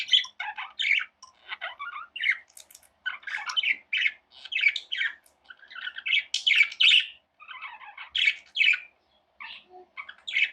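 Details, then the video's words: Pet budgerigars, tame birds, chirp in short separate bursts of scratchy, buzzy warbling, each burst about half a second long with clean silent gaps between them. "Budgies Sounds"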